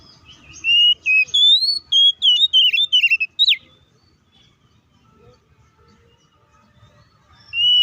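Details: Oriental magpie-robin in loud fighting song used to provoke other magpie-robins: a rapid, varied torrent of whistled, warbling and trilled phrases for nearly three seconds, then near silence before another loud whistle starts.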